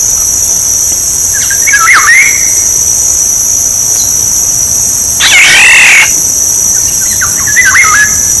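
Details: Black-naped oriole song used for decoying birds: a few short, fluid whistled phrases spaced several seconds apart beneath a loud, continuous high insect buzz.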